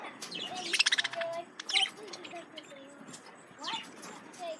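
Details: Male parakeets reacting to a lemon cucumber: a quick stuttering series of about seven clicky chirps, then softer warbled and whistled notes and a rising chirp.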